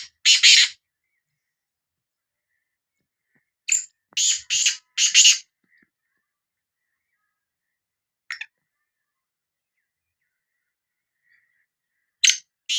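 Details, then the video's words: Sindhi black francolin giving its call: a single scratchy burst, then a grating phrase of four rasping notes, later a brief faint note and the start of another harsh phrase, separated by quiet gaps. "Kala Teetar Voice | Black Frankoline Voice کالا تیتر کی آواز"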